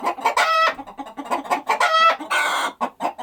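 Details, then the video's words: Chickens clucking and squawking: loud, harsh drawn-out squawks with rich overtones break in twice, over a steady run of short, low clucks repeated several times a second. "The sound of chickens."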